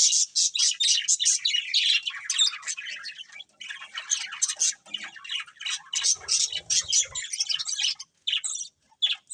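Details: Budgerigars singing while eating: rapid, uneven chatter of sharp chirps and squawky notes, loud at first, thinning into scattered calls with short pauses toward the end, plus faint low rustles.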